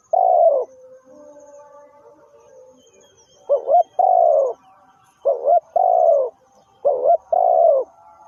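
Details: Cooing of a spotted dove kept as a trapping lure: one long falling coo, a pause, then three quick-repeating phrases of a short doubled note and a sustained coo, about every two seconds.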